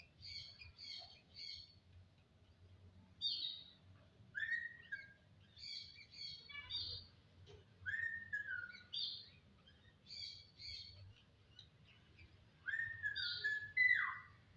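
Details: Jalak starling singing: repeated groups of quick high chips in threes alternate with clear slurred whistles, the sequence recurring several times with short gaps between phrases.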